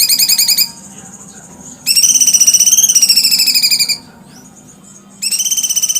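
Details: Cucak cungkok giving fast, buzzy, pulsed trills, around ten notes a second, in bursts of about two seconds, slightly rising then falling, with short quiet gaps between bursts.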